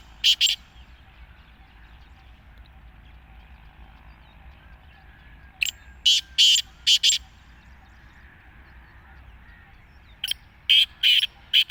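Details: Black francolin (kala teetar) calling: three harsh, grating phrases of four to five clipped notes each, separated by several seconds of quiet background hiss.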